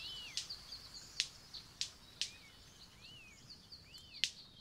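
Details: Courtship display of a male White-collared Manakin to a female in Costa Rica's Eco Centro Danaus: loud, crisp snaps about every half second to second, between soft arched whistled notes over a hiss of background insects.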